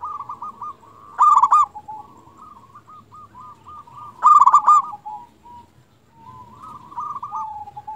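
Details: Lure recording of a local zebra dove from Indonesia, meant to prompt other doves to call: stuttering coos running almost continuously, with two loud bubbling bursts about three seconds apart.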